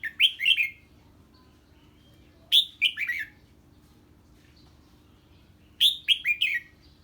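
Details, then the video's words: Red-whiskered bulbul singing when a strange bird arrives, delivering short rapid runs of three or four sharp, downslurred whistles, each burst separated by roughly three seconds of near silence and a faint hum. "Chào Mào Hót Ché Khi Nghe Tiếng Chim Lạ"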